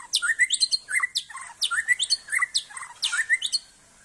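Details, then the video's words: White-rumped shama of the Aceh type performing at a songbird contest: loud, rapid phrases of rising whistled notes studded with sharp, high clicking chips, repeated roughly twice a second in a close, clean recording. "Murai Aceh"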